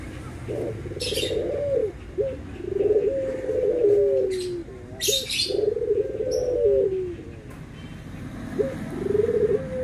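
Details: Barbary doves, white versus brown, giving low coos that glide down at the end, in groups separated by short pauses. Scattered high chirps from small birds.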